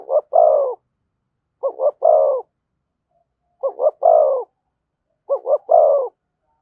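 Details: Thổ-voiced spotted dove giving thúc and kèm cooing: steady phrases of a brief double pulse and a drawn-out falling coo, four phrases roughly two seconds apart, clean and quiet background.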